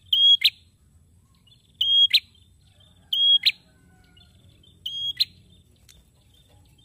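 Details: Male prinia in lively song, repeating a level shrill whistle and sharp snap every 1.5 seconds or so, four phrases over light background rumble.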